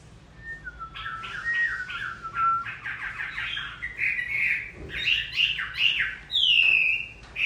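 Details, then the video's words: Singing through rain as its moult finishes, a hwamei gives falling whistles, then quickens into rapid varied phrases and closes with a long, loud, slurred whistle. "Hoạ mi hót trời mưa vẫn là “ Cái Trác Tuyệt “"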